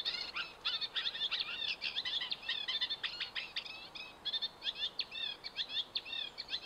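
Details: At Hammer Pond on the Knepp Wildland estate, a Eurasian reed warbler delivers a rapid, grating chatter of clipped notes, phrases repeated in small groups, almost unbroken for several seconds against quiet background hiss.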